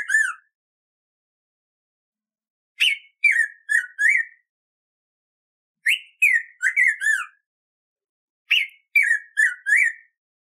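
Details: Black-throated grosbeak (Saltator fuliginosus), also called pimentão, a bird of Atlantic Forest, singing for training captive birds: phrases of four to five clear, slurred whistles, falling and rising, repeated about every three seconds over silence.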